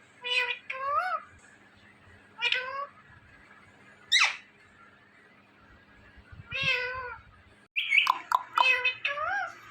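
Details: Indian ringneck parrot talking: repeated nasal, wavering meow-like words, one steep harsh squawk, and a fast burst of chattering syllables near the end.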